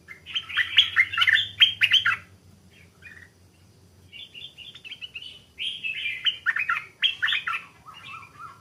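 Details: Caged Stripe-throated Bulbul, recently taken from the wild, singing hesitantly with a doubled phrase, not yet at full voice. Two bursts of quick, liquid warbling notes are split by a quiet gap, ending in lower slurred whistles.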